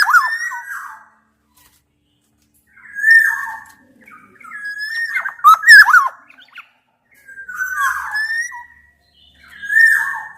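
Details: Black-naped oriole, Javan and Sumbawa males and females combined, challenging an opponent: repeated bouts of liquid whistles mixed with scratchy squawks, roughly every two to three seconds with silent gaps.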